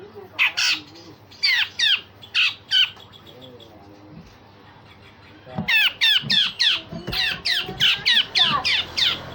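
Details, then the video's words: Grey-cheeked bulbul singing sharp shots, tembakan tajam, together with rough notes, used to train other songbirds: rapid series of twisting, sharply modulated whistles in bursts, a pause with faint low noise, then a faster run. "Cucak jenggot Besetan Kasar dan Tembakan Tajam"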